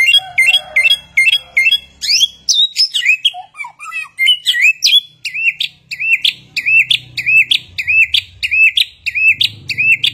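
A Chinese hwamei sings a loud, fast, varied song: rapid chirping notes, then sweeping whistles, then a run of repeated looping phrases about twice a second.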